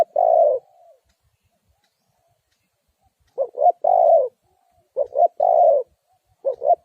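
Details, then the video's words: Spotted dove call played to lure wild doves into a trap. The tail of a long coo, then a pause, then two full phrases of two short hoots and a sustained coo, and another beginning. Quiet background. "The Cu Gáy Mồi Đất,Kèo thơm lụm Mồi sảy,นกเขาใหญ่สายต่อดิน,Sound Of Cuckoo Bird่,Suara Tekukur Pikat"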